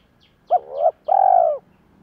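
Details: Spotted dove call used as a decoy to excite wild doves. The coo has two parts: a short note that swells upward, then a longer, even, slightly rough note. Quiet high chirps repeat in the background.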